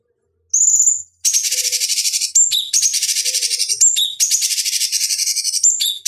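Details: Cucak cungkok bulbul master recording for fighting-bird training: a clear high whistled note opens, followed by long runs of fast buzzy chattering pulses dotted with brief whistled slurs, almost without pause.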